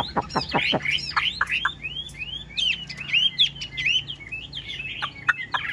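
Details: Caged Chinese hwamei with a yellow bill, plumage still wet, singing in bursts of loud whistled phrases: fast downward sweeps, then looping slurred notes and sharp upward flicks, with faint background murmur.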